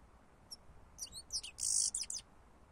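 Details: European goldfinch song used as a lure: a single thin note, then tumbling high twitters build into a harsh buzzy burst and a few more chirps. The background is quiet.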